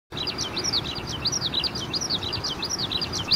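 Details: Eurasian skylark song: a continuous rapid stream of high, chirping and warbling notes with no pauses, over steady background hiss.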